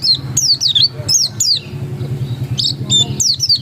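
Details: Oriental white-eye of the dakun type in ngotot singing style: rapid high, thin whistled notes sweeping down and up, in bursts with brief gaps, over a steady low engine-like hum.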